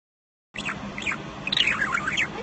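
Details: Male pet budgerigar, about 3-4 months old when acquired in fall 2012 and recorded 30 Aug 2018, chatters in quick, squeaky, warbling notes that sweep up and down in pitch, in his usual talkative chat session ("Whatcha doing?").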